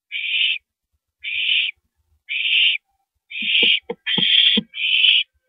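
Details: Barn owls at the nest, 2:42 AM, 7 April 2012, with a rabbit delivered as prey; three evenly spaced rasping hisses, then a quicker cluster of hisses mixed with sharp clicks and knocks.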